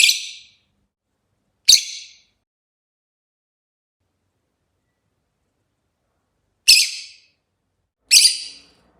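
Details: Rosy-faced lovebird chattering with four loud, shrill, squeaky chirps, two close together at the start and two more after a long silent pause.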